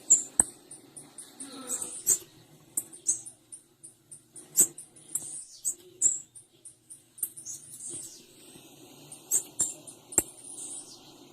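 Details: Female blue-black grassquit calls: rapid runs of piercing high chips, some doubled, alternating with sharp clicks and short quiet gaps.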